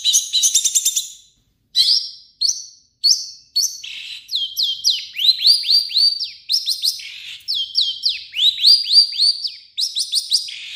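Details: Long-tailed shrike song carrying imitations of other birds: a scratchy opening burst, spaced single whistles, then long runs of rapid upslurred whistled notes.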